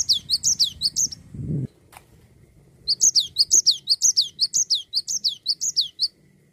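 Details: Cinereous tit in rolling gacor song meant to spur other songbirds to sing: short series of high, down-slurred notes, a low bump and pause, then a longer fast string of the same bright phrases.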